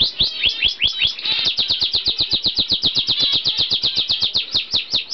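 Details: Pair of normal zebra finches bred in 2011 in the UK, recorded November 2011, giving a rapid, steady stream of short, nasal, toy-trumpet beeps.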